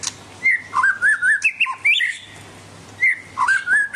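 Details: White-rumped shama of the Medan type giving clear fluting whistles, a wavering warbled phrase rising then falling, a pause, then the same warble repeated, over a faint low hum.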